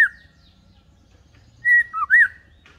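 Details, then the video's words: Shama tutor recording meant to get fledglings singing like adults, set low and unexcited: after a brief chip and a quiet pause, a clear whistle, a dipping slurred note and a looping upward whistle sound in a quick phrase. "Pancingan murai batu || khusus trotolan agar belajar bunyi"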